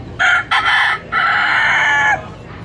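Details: Rooster in Key West crowing on command: a loud, harsh cock-a-doodle-doo in three parts, two short opening bursts followed by a long drawn-out final note of about a second that drops at the end.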